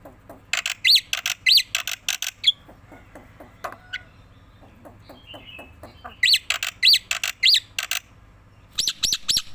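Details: Black-winged myna, tame and head-bobbing, delivers loud chattering song: grating broadband bursts and arched whistles in clusters, separated by a quieter stretch of faint scratchy notes.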